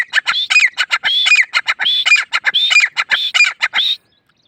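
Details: Grey francolin calling in a rapid, shrill series of harsh repeated notes, some with a whistled rise-and-fall inflection, the notes run together for about four seconds before falling silent.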